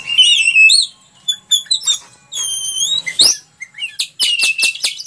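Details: Oriental magpie-robin in full song as master material: rich whistled phrases, quick upslurred notes and a closing burst of rapid sharp clicks, separated by brief pauses.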